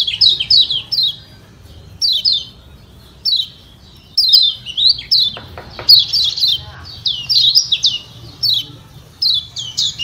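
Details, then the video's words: Lombok kecial kuning, a yellow white-eye, calling 'ciak ciak' to goad other birds into responding; rapid runs of piercing descending chirps in bursts, busier and denser toward the middle, with a brief low knock and faint background hum. "Kecial Kuning Ciak Ciak Joss Bikin Kecial Lain Yang Denger Auto Nembak"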